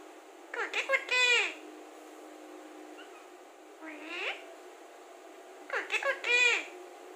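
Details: Talking Alexandrine parakeet producing speech-like phrases: a quick burst of short harmonic syllables, a single rising-falling word, then another clustered phrase, all over a faint constant background hum.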